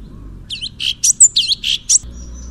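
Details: Orange-bellied leafbird (cucak cungkok) in full 'tembakan' song style: a quick burst of loud, high, varied chirps and sharp whistled notes, roughly seven in under two seconds, then a thin high tone over low background hum.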